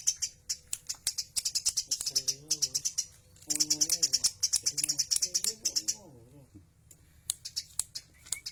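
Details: Tame Eurasian tree sparrow chirping actively, sharp high chirps repeated rapidly in bursts of several per second, with short gaps, while a man talks nearby in a local language.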